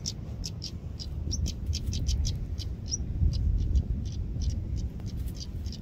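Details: Stonechat giving rapid runs of hard, dry clicking notes with occasional short rising whistles, about three or four sounds a second, against constant low-pitched background rumble.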